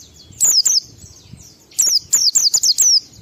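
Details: Ngalas-style song of an Oriental white-eye, used as a lure to spur kept birds into singing: a pair of shrill downslurred whistles, a short silence, then a fast run of five piercing falling notes.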